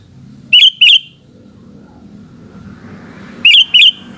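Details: Sooty-headed bulbul in the afternoon giving two pairs of bubbly, warbled whistles about three seconds apart, over a low rumbling background.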